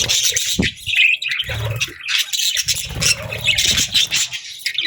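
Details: Budgerigars chattering in the morning: overlapping scratchy chirps, squawks and a few clearer whistled notes, with soft low rumbling and thuds underneath.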